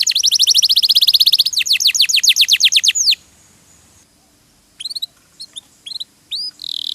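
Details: Canary singing actively in a tutor recording for training songbirds: three seconds of fast, even trills of high whistled notes, then near silence broken by a few sharp upswept chips.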